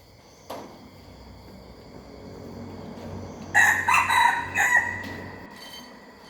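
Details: Young hybrid red junglefowl rooster practising its crow, heard after a few seconds of low hum: a brief rough crow of several choppy, uneven syllables, then the low background hum continues.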